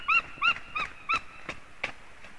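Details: White-tailed eagle (Haliaeetus albicilla), one of a breeding pair on a nest livestream in Latvia, gives about seven shrill, yelping notes, roughly three per second, fading toward the end.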